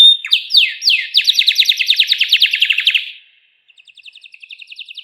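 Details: Canary singing as a lure for pet songbirds: a few downslurred whistles open a rapid, even trill of repeated notes lasting about two seconds, a brief pause, then a softer, faster trill begins.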